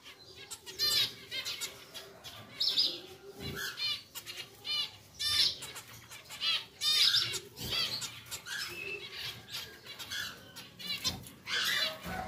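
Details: Caged pied zebra finch pair, freshly settled into a bigger new cage decorated with artificial leaves: short buzzy, nasal beeping calls repeated irregularly throughout, over a low background hum and faint rustling.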